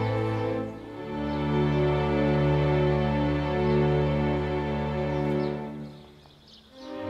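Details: Soft, sustained instrumental music with steady low tones swelling and fading, with no animal sound heard.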